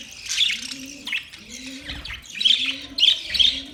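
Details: Budgerigar chirps in quick high bursts, strongest near the end, over a steady low cooing hum that runs through the whole stretch.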